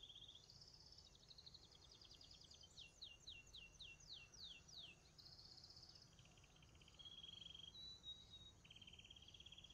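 A young Belgian canary sings high, rapid trills and sweeping chirps in fast runs, with steady background hiss and low hum throughout.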